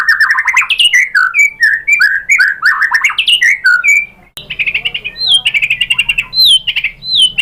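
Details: White-rumped shama singing a provoking lure song for other shamas: a loud, fast tumble of chattering warbled notes, then after a brief break a clear run of high whistled upslurs and buzzy phrases.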